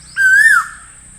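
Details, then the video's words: One clear whistled note of an Asian koel, slightly rising then dropping quickly, over a faint low murmur. "Asian Koel Master Sound - Asian Koel Sound Effect"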